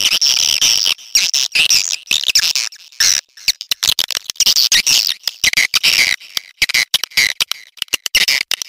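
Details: Swiftlet mating call: dense, rapid chattering of harsh high clicks and buzzy trills, chopped into many short bursts with abrupt silent gaps throughout, loud and continuous.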